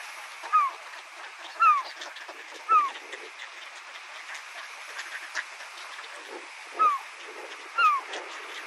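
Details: Herring gull in Saitama, Japan, giving five short, falling, mewing notes in two groups of three and two, over a steady background of rushing water or wind.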